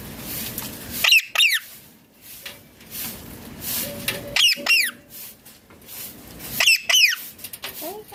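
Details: Ringneck parrot screeching in three bursts about every three seconds, each a pair of harsh, steeply falling notes, with soft background noise between.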